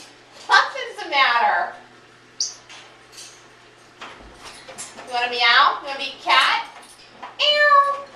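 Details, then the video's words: Pet African grey parrot, adopted and 16 years old, indoors asking one question over and over during cleaning; a series of speech-like phrases with sweeping, rich harmonic tones rising and falling, spaced about one second apart. "Talking African Grey parrot"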